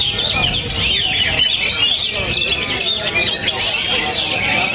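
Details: Oriental magpie-robin from Perbaungan, North Sumatra, singing after its moult: dense, rapid high chirps and twittering phrases run almost without pause, with human voices talking underneath.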